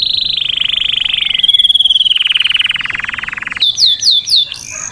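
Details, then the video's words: Canary song of sustained rolling trills, gradually dropping in pitch over three seconds, then a break into sharp, high, downward-swept chirps repeated rapidly, loud and clear throughout. "تغريد كناري ممتع"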